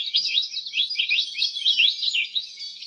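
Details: Nonstop canary twittering, a dense fast sequence of high sweeping chirps and trills filling the whole stretch.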